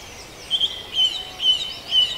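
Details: Four short, high whistled notes evenly spaced about half a second apart, part of a dawn chorus at Farndale, over a faint hiss.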